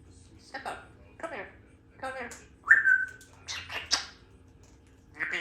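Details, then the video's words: Talkative female Congo African grey parrot kept as a household pet speaks in short word-like syllables, then gives a bright falling whistle, then more quick talk-like sounds, indoors with soft background hum. "African Grey Talking Baby Parrot speaks better than most people"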